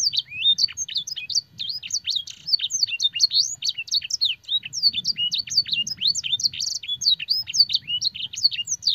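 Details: Canary master song for training other canaries, filled with blackthroat and sanger phrases: a dense, continuous run of sharp high whistled sweeps and rapid chirps, notes rising and falling quickly without pause, with faint low rumble beneath.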